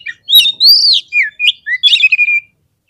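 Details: Oriental magpie-robin singing a provoking lure song for fighter birds: a few sharp chirps, a long arched whistle, then quick varied notes ending in a steady level whistle.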